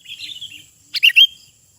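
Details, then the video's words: Wild sooty-headed bulbul singing in the open: a soft wavering warble, then a short loud burst of three bright, slurred whistled notes, over a faint steady high hiss. "Kicauan Burung Kutilang di Alam Bebas"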